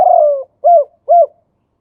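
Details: Male spotted dove in Thailand, 'khu ang' song style: the tail of a long, falling, burry coo followed by two evenly spaced short arched coos, with clean silence between them.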